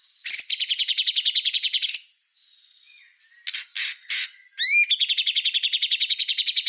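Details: White-rumped shama song, a master recording for tutoring other songbirds: fast rattling trills of evenly repeated high notes about 3.5 per second, broken by a soft whistle, short buzzy bursts and upslurred notes.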